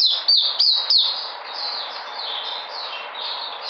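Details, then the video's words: White-eye on 13 February 2020: three loud, sharp high chirps open, followed by a quieter continuous warbling twitter at similar high pitch. "Puteh Sunday coming back in energy"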